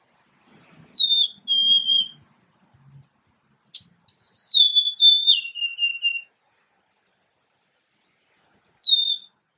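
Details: Golden-crowned sparrow singing three plaintive whistled phrases, each stepping down in pitch. The middle phrase ends in a few short lower notes. The phrases are spaced several seconds apart in a quiet setting.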